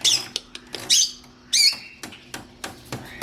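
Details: Long-tailed shrike singing as training audio for other songbirds: short, harsh, rasping bursts at high pitch, separated by brief gaps with faint clicks between them, in a quiet indoor-sounding setting.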